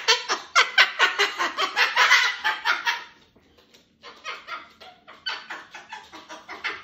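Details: Two pet cockatoos calling together indoors before bed: a fast run of harsh, raspy squawks about twice a second, a brief pause, then a second, softer series of rhythmic screeches.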